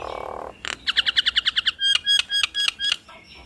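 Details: Nias hill myna duet used as a lure for other mynas: a harsh buzzy note, then a rapid train of about ten short doubled whistles, slowing into longer, louder notes.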